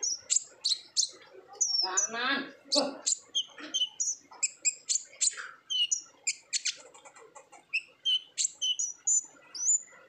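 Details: Lively olive-backed sunbird song in the 'ngobra' style, played as a lure to coax untrained birds into singing: dense high sharp chips and whistled slurs in rapid strings, with a brief buzzy harsh rattle near the start.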